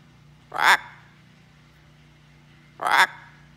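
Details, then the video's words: Owner chats with a pet blue-and-gold macaw on a farm. The bird answers with two short, loud, honking squawks about two seconds apart in a quiet room. "Talking With My Friend The Macaw Parrot"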